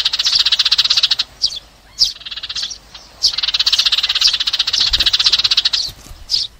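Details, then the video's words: Sparrows calling their flock, played for trapping: long runs of fast pulsed chattering notes, almost trilled, broken by short sharp chirps and brief quiet spells. "TIẾNG CHIM SẺ GOI ĐÀN DÙNG ĐỂ BẪY"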